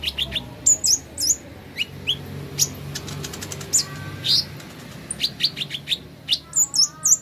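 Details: Plain flowerpecker in a therapy recording meant to bring on song: bright, very high tsip notes and short twittered slurs in uneven bursts, with a few softer lower whistled slides mixed in.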